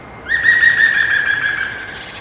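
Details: European green woodpecker (Picus viridis) calling in Bochum on 13 February 2023 at 08:30: a loud, ringing run of notes blurred almost into one tone, about a second and a half long, easing slightly lower toward the end.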